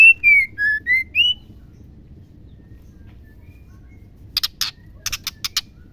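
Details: White-rumped Shama female, played to provoke male song: one clear phrase of five whistled notes dipping and rising again, then a pause and a string of short, harsh buzzy rattles.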